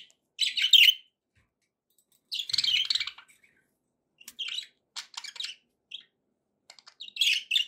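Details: Happy budgies chirping: scratchy, buzzy call bursts and scattered short clicks and tweets, spaced by silences of about a second.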